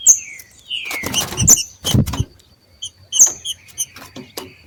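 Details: Green-winged saltators, two wild males competing, open with two smooth falling whistles, followed by high chips, thuds and knocking sounds.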